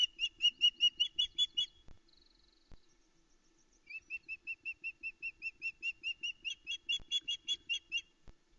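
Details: Loud repeated whistled chirps from a female osprey on the nest at Loch Arkaig, about 5am, 13 July 2019, waiting for breakfast to be brought; nest camera. Rapid even series of sharp cheeps, a short gap, then another long steady run.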